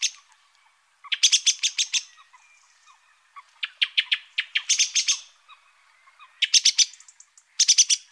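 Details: Song thrush delivering harsh, rattling phrases of rapid dry notes, each burst repeated in bouts with short pauses between.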